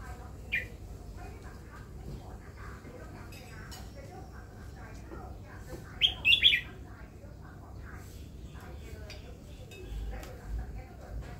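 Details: Caged red-whiskered bulbul, a new bird kept for listening, gives one short sharp note early, then a rapid cluster of slurred, warbling whistles midway, amid faint background chatter and clicks.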